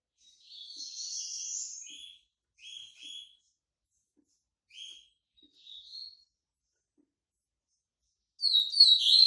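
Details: Yellow-bellied seedeater, white-breasted form, coming out of moult: several soft buzzy chirped phrases with pauses, ending in a sudden loud, rapid twittering burst.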